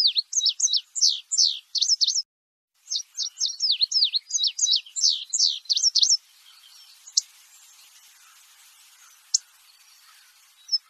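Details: Indigo bird singing: a fast run of sharp, high, down-slurred chirps, each one dipping and bending. A brief gap splits the run. After about six seconds it turns to faint, sparse ticks over quiet background.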